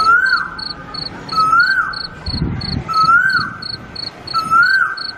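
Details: Cuckoo giving a whistled note that swells upward and drops away, repeated four times roughly every one and a half seconds, over rapid, steady insect chirping and a brief low rumble.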